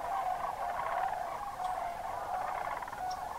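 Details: Sandhill crane flock during October migration at Crex Meadows State Wildlife Area, Wisconsin wetland, evening or dawn. Nearer rattling, trilled calls rise over a dense background murmur of distant birds.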